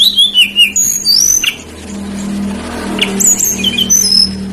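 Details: Sooty-headed bulbul singing vigorously, used as a lure to draw other birds: descending clear whistles, then bright high chirps and short trills, broken by a quieter stretch with a low steady hum beneath.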